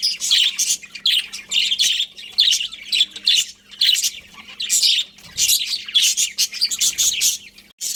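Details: Budgerigars in a colony chirp continuously, a dense chatter of bright, rapid warbles and squeaks from several birds.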